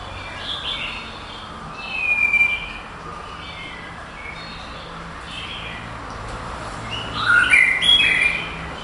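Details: Contest-placed male white-rumped shama from Kuala Lumpur, third on 22 April 2012. Sparse bright chirps and warbled notes, then a short high burst near the end, with quiet stretches between.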